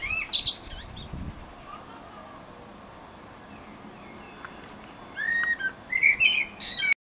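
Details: Eurasian blackbird singing in Utrecht, the Netherlands, on 9 June 2014: a burst of high twittering notes at the start, a quiet pause of several seconds, then short fluty, warbled phrases close to the end.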